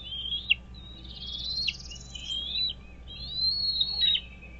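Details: Wild American bald eagle at its nest on Dale Hollow Lake, a reservoir on the Kentucky–Tennessee state line, filmed by nest camera on 17 April 2023 around 07:24; loud high, thin whistled squeals waver and slur downward, with a steady low camera hum.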